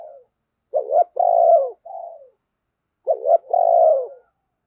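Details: Spotted dove kept as a decoy to attract wild birds. Its coo comes loud and clear: a broken double lead-in, a long mellow purring note, and a softer trailing coo, then the same phrase again.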